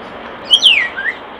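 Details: One descending whistle and a brief upslurred follow-up note from a common starling near a nest box, clear above a faint hiss.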